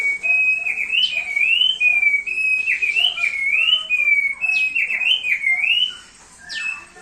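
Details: Vigorous thick-billed heleia song for use as a training master: bouncing whistled phrases of three or four swooping notes, about two per second, then fading near the end.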